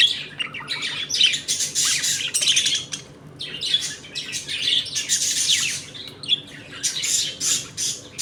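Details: Budgerigars in a home colony during feeding and play; continuous loud warbling chatter in dense bursts, rising and pausing briefly every few seconds.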